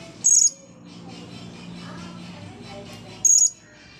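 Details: Blue-crowned hanging parrot, freshly dried from a bath, gives two short, very high, squeaky shrieks about three seconds apart over a steady low hum.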